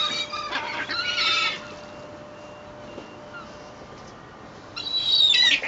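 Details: Seagulls squabbling over bread thrown from a moored boat at Fleetwood Docks, sunny day, 7/8/2012; a cluster of screechy, strained cries opens, quiet follows for about three seconds, then a sharp high squealing call rings out near the end.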